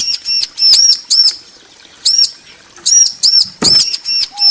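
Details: Bar-winged prinia, female and male answering each other: loud, sharp arched chip notes, singly and in quick doubles and triples, with a brief clattering noise near the end.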